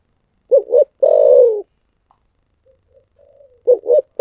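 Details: Spotted dove singing in the 'thổ sấm' voice: two short coos and a long, slightly falling coo, then faint quiet notes, then the start of the next phrase with another double coo.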